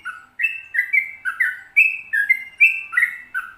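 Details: Sooty-headed bulbul tutor song, a long rolling 'ropel panjang' delivery. Short bubbly whistles step up and down in quick succession, some notes with a buzzy edge, about nine phrases in a few seconds.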